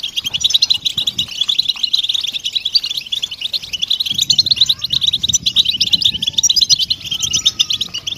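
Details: Collective European goldfinch chatter meant to encourage silent males out of their silence; a steady wash of rapid, high, overlapping twitters, with a few longer thin whistled tones near the middle.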